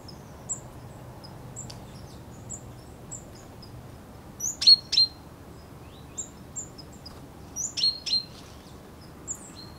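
Common chaffinch giving short, sharp, high call notes at an uneven pace, some as quick doubled chips, over a faint low background rumble.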